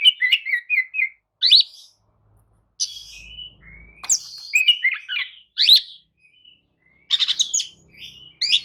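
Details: Kacer, the Oriental magpie-robin, singing a lure song to rouse a listless bird into replying; rapid chattering phrases and bright sweeping notes mixed with a few drawn-out thin whistles, with a faint low hum in the middle.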